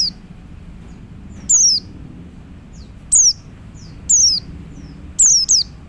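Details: A male Oriental white-eye calls other white-eyes with sharp, descending high whistles, some given singly and some in quick pairs, about five bursts in six seconds against a quiet, low background hum.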